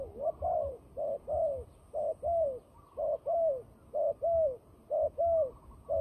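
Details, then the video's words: Turtle dove fighting call, used for trapping: paired short coos, the second drawn out and falling, repeated about once a second in a steady rhythm over a low rumbling background. "fighting dove"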